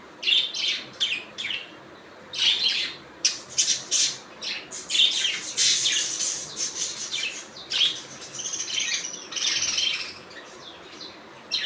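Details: Budgerigars heard in their natural sound: bursts of high, scratchy chirps and chatter in quick clusters, with short pauses between, several birds overlapping, no other clear sounds.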